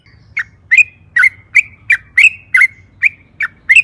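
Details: Yellow-vented bulbul in lively song, used as a lure to get others singing: sharp, clipped chirps about every half second, each with a short trailing whistle, over faint low hum.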